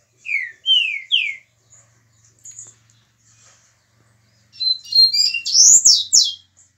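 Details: A 22-year-old Mineiro green-winged saltator sings: three loud, slurred whistles falling in pitch, a pause, then a brighter run of rich, higher whistled notes, over a faint low hum.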